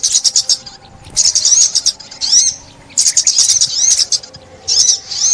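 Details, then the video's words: Sunbird in Vietnam in 2021, heard in a trapping setting, sings four separate bursts of shrill, rapid twitters and slurred whistles, each about a second long, with short quiet gaps between them. "Tiếng Chim Ốc Mít"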